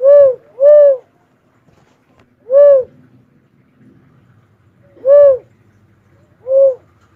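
Philippine cuckoo-dove giving low, rounded hooting notes, an opening pair then single notes about every two and a half seconds, over a quiet background.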